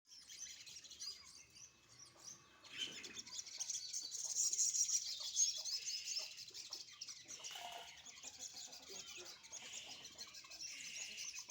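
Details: Sunbird basking in the morning sun, giving high, thin chirps and twittering phrases in quick irregular runs, with a brief lower note near the middle.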